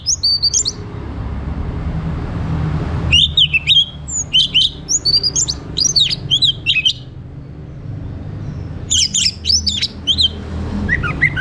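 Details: Orange-headed thrush (Geokichla citrina) morning lure song to stimulate captive birds: rich, varied whistled phrases of quick high notes in three bursts, with a low steady hum underneath.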